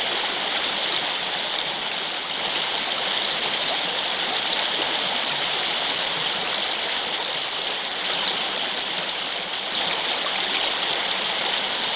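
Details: Only the steady rush of a fast-flowing stream is heard, with no animal sound above the water.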